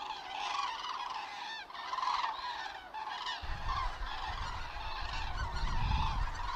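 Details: Cranes on autumn migration, Mittelhessen, Germany, 31 October 2022, unfavourable weather: a flock's steady, overlapping trumpeting, rolling calls continuous throughout, with gusts of wind noise from midway.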